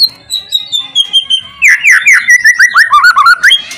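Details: White-rumped shama song meant to provoke other shamas into singing: a long slowly falling whistle, then a run of rapid rising and falling whistled notes.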